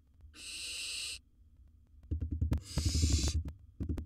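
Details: Wild barn owl at a nest box as it swallows a large prey item: two long, harsh, breathy hisses under a second each, separated by a pause, with a run of rapid low thumps and scratching underneath.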